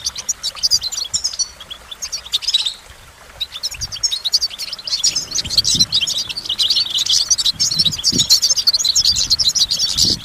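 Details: Goldfinch song: a short twittering phrase, a pause, then a sustained, busy run of high, tinkling chirps and buzzy trills, with occasional dull knocks in the background.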